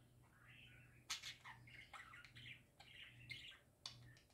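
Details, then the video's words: Parakeets singing happily in a dense, continuous chatter of warbled notes, interrupted by sharp snapping clicks, with a soft low hum beneath. "Parakeets Singing Happy Parakeets Parakeet Sounds"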